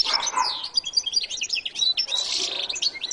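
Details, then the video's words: Jilguero latino, a goldfinch, singing a rapid jumble of high twittering notes and bright whistled pips, continuous and busy throughout. "canto de jilguero latino"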